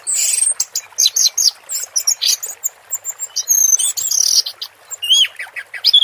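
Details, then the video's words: Orange-headed thrush singing in the teler style: a dense, varied run of high whistled and chirping notes, short phrases broken by brief pauses, some sweeping up and down, with a faint hiss behind. "Suara Burung Anis Merah Teler"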